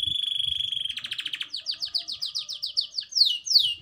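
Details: Canary trained on black-throat and prinia song; a steady high whistled tone over a fast pulsing trill, then a chain of descending chirps, about four a second, ending in two louder sweeping notes.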